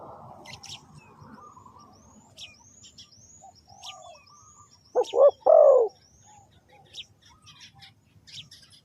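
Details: Amid scattered high twittering of small birds, a spotted dove used to attract wild birds gives a single loud phrase of two quick coos and a long, falling, rolling final note.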